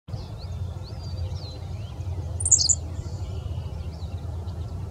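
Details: A Henslow's sparrow at Bath Nature Preserve, Summit County, Ohio, on June 3, 2017, gives one very short, high, hiccupping 'tsi-lick' mid-clip, over steady low wind rumble and faint thin whistles from other birds.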